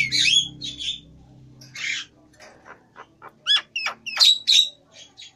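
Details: Grey-headed Nias hill myna in full song: harsh squawking bursts open, then quiet clicks, followed by sharp rising whistles and loud strident notes near the end; a low hum underlies the start.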